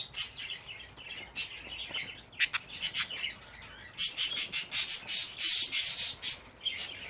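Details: Budgerigar chicks, a group of fifteen young in a nest box: rapid high chirps and raspy squeaks in bursts, several overlapping, with short pauses between runs.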